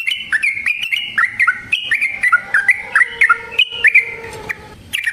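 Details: Yellow-vented bulbul singing in a lure recording meant to provoke other bulbuls: a varied string of clear, whistled notes, many slurring downward, delivered in quick uneven succession with a few fainter lower tones.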